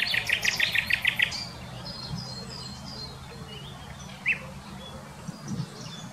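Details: A common nightingale, recorded in 2020 around Wittlich, opens with a loud run of about eight repeated, pulsing notes, then falls quiet apart from faint distant chirps and a steady low hum.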